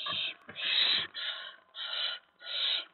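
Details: Hissing from owlets at a nest in the early hours of 10 September 2017 while parents bring rodents; five breathy, rasping bursts in three seconds, with soft rustling under the first ones.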